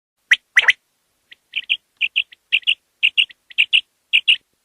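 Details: Common quail, known locally as batair, in a quail hunting context: after a few sharp clicks, a clear liquid three-note phrase repeats about six times at a quick, slightly uneven pace.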